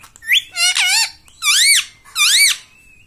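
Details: Talking pet parrot repeating "mummy" indoors: three loud bursts of rich, harmonic, arch-shaped syllables about half a second apart, ending in a brief flat whistle.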